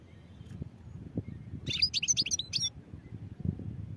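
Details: European goldfinch giving a single one-second burst of quick, high twittering notes against a steady low background rumble.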